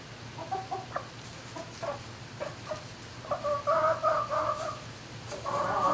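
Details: Turkeys in a barn at night, November 5, 2018, around 20:41: soft clucking notes and short nasal yelps, rising into a denser cluster of calls near the end, over a steady low ventilation hum.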